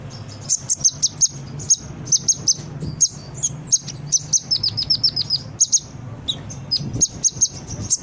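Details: Lively brown-throated sunbird song played to train birds to respond: dense runs of sharp, high-pitched chips and short twitters, nearly continuous, against a low background hum.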